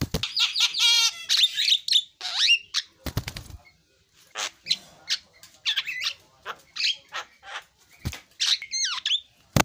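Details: Javan myna song of rattling trills, squeaky whistles and scratchy phrases, interrupted by a burst of wing flapping and a few sharp clicks.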